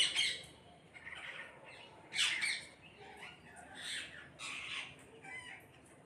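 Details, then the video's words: Flock of parrots calling together: harsh, raspy squawks in separate bursts about once a second, some louder and some fainter, over a quiet background. "கூட்டமாக கிளிகள் சத்தமிடுகிறது"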